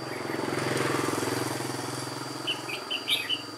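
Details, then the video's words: White-cheeked red-whiskered bulbul, an old decoy bird, sings solo at a trapping site on 1 July 2018; a rapid string of five clear whistled notes follows a passing engine drone. "Bẫy chào mào Má trắng Chơi solo mồi già"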